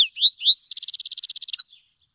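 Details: Himalayan and black-headed cross goldfinch from Fars, Iran, singing for tutoring young birds: two rising slurred whistles, then a fast, regular buzzy trill of about fifteen pulses that stops sharply.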